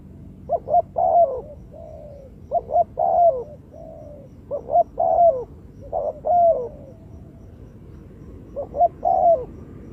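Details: Spotted dove calling, its voice used as a lure in bird trapping: five evenly spaced phrases of quick hoarse notes ending in a longer falling coo, about every two seconds.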